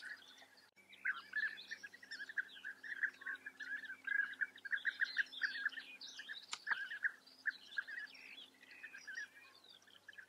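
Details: European bee-eaters in the Eifel, Germany: a steady stream of short, rolling, liquid notes repeated rapidly, several birds calling over each other, with higher chirps from other small birds behind.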